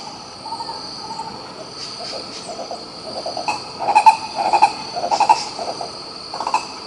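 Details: In Pirenópolis, Goiás, Brazil, a green ibis, known locally as coro-coró, starts softly, then breaks into louder rolling, croaking bursts in the second half, with a steady shrill insect drone behind.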